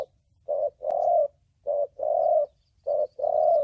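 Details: Giọng thổ bầu style coos of a spotted dove, a recording meant for trapping and decoy training: brief coo followed by a longer steady one, paired phrases repeating regularly, a single faint click early on.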